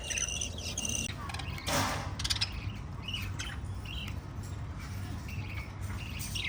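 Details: Five pet lovebirds keep up a busy stream of sharp, scratchy chirps and brief squawks, with one louder noisy burst near the start and a constant low hum.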